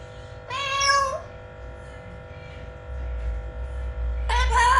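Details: Pet blue-fronted amazon parrot talking: a harmonic, voice-like phrase near the start, then a brighter, rising utterance at the end, separated by a quiet pause with a low hum.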